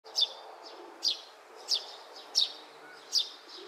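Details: Juvenile Oriental greenfinch in grass searching for food, recorded 31 May 2023 around midday: sharp, high, down-slurred chirps repeated roughly every 0.7 seconds, five in a row.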